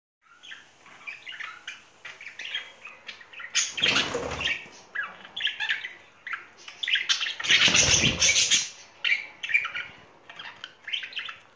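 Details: Courting pair of pet budgerigars in spring, chattering steadily in dense, scratchy warbles and chirps at a quick pace, with two louder broadband bursts near four and eight seconds that sound like wing flutters or rustling.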